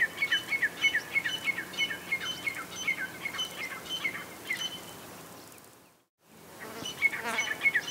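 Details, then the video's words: A female grey francolin gives sharp, high notes about three times a second, briefly cut off, then resumes against a faint buzzy hiss. "Female Grey Francolin Sounds"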